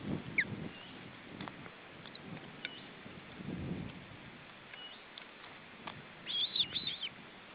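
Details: Osprey at the nest while feeding, July 2012; scattered faint ticks, then a quick rapid series of high, squeaky chirps late in the clip, set against a constant hiss and low noise.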